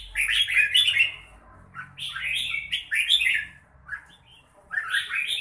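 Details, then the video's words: Red-whiskered bulbul giving rapid strings of bubbly, warbled notes in phrases of about a second, pausing between them, against faint low background noise. "Chào mào bộ đẹp lối chơi mãng nhãn"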